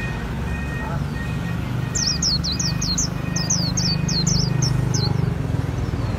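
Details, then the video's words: Líu song of a Japanese white-eye in Vietnam, a three-second string of about twelve bright, high-pitched whistles that each drop in pitch, set against a low droning background. "KHUYÊN LÍU HAY NHẤT 2019"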